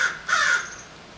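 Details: American Crow near human infrastructure in a city: two harsh, raspy caws in quick succession, the second longer and slightly lower, with nothing else heard.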